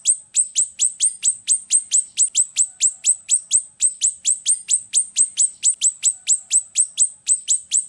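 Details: Golden-bellied gerygone song for tutoring other birds and luring: an unbroken, rapid run of sharp, very high downslurred notes, roughly four each second, steady in loudness throughout.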